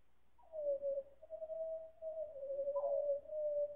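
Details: Time-stretched chorus of four pied butcherbirds: a long wavering pure whistle gliding down, holding steady, then briefly leaping higher before settling again, smooth and theremin-like.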